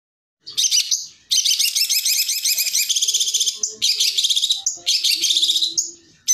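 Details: Long-tailed shrike singing a 'tembakan' style training song for other birds: dense, rapid high chattering trills in long bursts separated by short pauses, with a few brief whistled notes and a faint low hum beneath.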